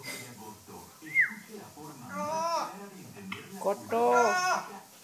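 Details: A pet parrot asking for food chatters in speech-like babble with a quick rising whistle, then strings of throaty, word-like phrases, apparently calling itself "rorro", in a small room.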